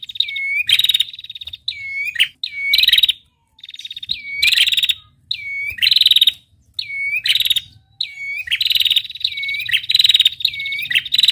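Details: Female prinia giving its 'ngetirr' trill: a bright whistled note slurring downward, then a rapid buzzy trill of high pulses, repeated about seven times with short pauses between bursts.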